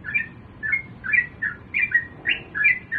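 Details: Sooty-headed bulbul singing in the morning, used to lure other bulbuls into song: short bubbly warbled phrases around mid pitch, repeated about every half second through the clip, clear over a faint low background hum.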